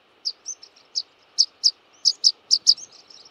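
A Rock pipit gives a loose series of thin, sharp, high 'pseet' notes, about ten in three seconds at an uneven pace, with faint background hiss.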